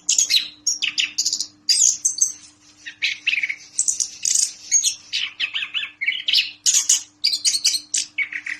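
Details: Orange-headed thrush, one of ten birds, in full song: a rapid stream of high chirps, trills and squeaky whistled phrases with brief pauses between bursts, a steady low hum underneath.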